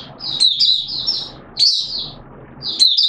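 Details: Malaysian Oriental white-eye (Mata Puteh) in buka-style singing, Singapore, warm humid weather with sudden showers, 29 March 2023: short high, thin, warbling twittered phrases in bursts separated by pauses, faint low background hum.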